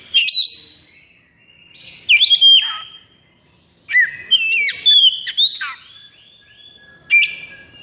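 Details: Kacer, or Oriental magpie-robin, in high breeding condition; separate short phrases about every two seconds, each a sharp high note dropping into a clear sliding whistle, with quiet between.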